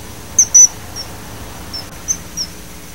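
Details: Common kingfisher, Alcedo atthis: a few very high, thin, piercing whistles, with two close together early on and fainter single notes later. A steady background hiss runs throughout.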